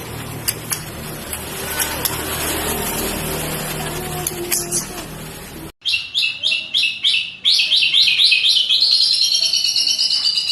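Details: A white-rumped shama answers a rival's provocation with a clipped, rapid series of high sharp notes repeating about four per second, following several seconds of loud broadband noise.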